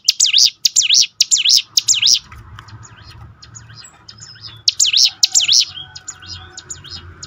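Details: Hill prinia song used as a lure to train birds to sing more often: loud bursts of rapid, high, swooping whistled notes, each dipping and rising, in two phrases separated by a quieter pause with faint distant chirps.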